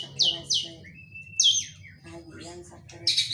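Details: White-rumped shama giving song stuffed with kapas tembak imitations: bright high buzzy bursts repeated about every second, a long thin level whistle between them, and a continuous low hum underneath.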